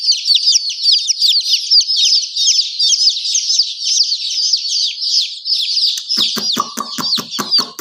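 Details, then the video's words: Chicken chicks peep continuously in high, downward-sliding notes; near the end a fast series of sharp tapping knocks joins the chorus. "Murgi baby chirping sound"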